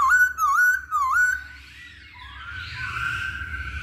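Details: Masked laughingthrush song used as a lure to provoke other birds to sing: clear whistled notes near one pitch, each with a quick dip and rise, repeated about twice a second, then fading into a softer, blurred warble.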